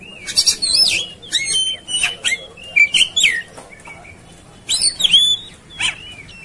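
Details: Oriental magpie-robin singing in an agitated, fighting mood: rich, loud whistled phrases with sweeping up and down notes and sharp clicks, delivered in quick bursts over a low steady hiss.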